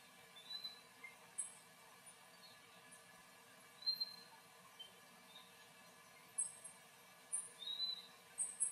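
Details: A Puerto Rican flycatcher (Myiarchus antillarum) chick, an endemic species, calls from its nest before flying off, giving thin, very high, squeaky notes, single or in quick pairs, every second or two over a soft steady hiss.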